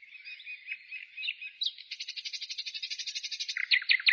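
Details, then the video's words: Bird song in the countryside in spring, recorded 15 May 2017; chattering twitters lead into a rapid rattling trill of many notes, then several loud abrupt sweeping notes at the end. "Пение птиц"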